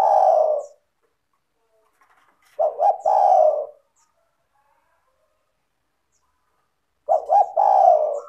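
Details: Spotted dove cooing steadily, a recording used to prompt other spotted doves to answer: phrases of two clipped coos leading into a drawn-out mellow coo, repeated about every four and a half seconds in quiet surroundings.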